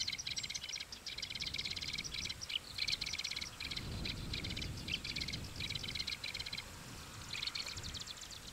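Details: A marsh grassbird perched in a reed bed on 18 June 2024 sings loudly to display: fast, buzzy, chattering phrases of rapidly repeated high notes, with brief pauses between bursts, over a low rumble of wind.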